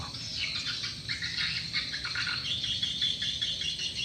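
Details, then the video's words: Swiftlet lure call of the SP Sanro style, with many birds said to be present: a busy stream of short, high, raspy chirps crowded together without pause, over a faint low hum. "Suara Burung Walet, Download Suara Panggil Walet"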